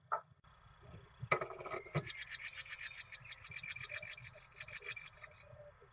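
A great tit gives a harsh, rapid chattering rattle of dry high ticks lasting about three seconds, after a couple of sharp knocks and a faint low rumble.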